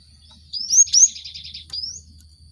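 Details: Lure song of a Cinereous tit meant to stimulate caged birds: two high clear whistled slurs followed by a rapid rattling string of short notes and a final thin rising whistle.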